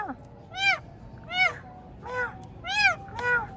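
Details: Green Indian ringneck kept as a talking pet parrot speaks in five separate rising-and-falling voiced syllables, each about a third of a second, spaced roughly every half to three-quarters of a second, in a quiet room.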